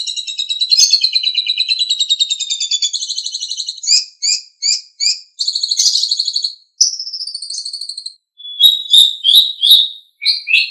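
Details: Asian pied starling singing, a tutor recording for caged birds: rapid buzzy trills give way to separated chattering notes, short whistles and rising squeaky phrases, all high-pitched and clean, without background noise.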